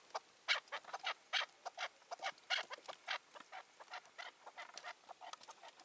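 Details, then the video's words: Wild Chukar partridge that dominates its area and silences rival males, heard on a June evening; sharp broadband clucking notes given irregularly, roughly one per second, fairly quiet. "Sevdiğim Keklik Sesi"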